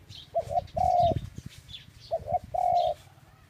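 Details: Two dove phrases, each built from a quick double coo and then a long level coo. A low background rumble and faint high twittering can be heard.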